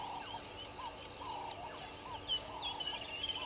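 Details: Southern masked weavers at their nests by Gowrie dam waterhole, Djuma Game Reserve, Sabi Sand Wildtuin, South Africa, 06:35 on 01/11/21; dense overlapping chatter of buzzy, swirling and whistled notes, with a steady low hum behind.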